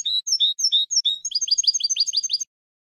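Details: European goldfinch singing, for training young birds: a handful of slurred whistled notes, then an accelerating, jangling sequence of bright twitters.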